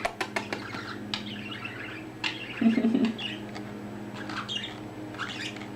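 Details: Pet male budgerigar, recently found his voice, chattering indoors: rapid sharp clicks and scratchy warbled chirps running through the clip, with a woman's soft voice briefly in the middle.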